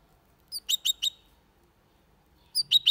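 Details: Goldfinch × canary hybrid singing clean Malaga-style song without errors, used to stimulate males to sing and chicks to memorise; here two short bursts of sharp, bright chirped notes separated by a second and a half of silence.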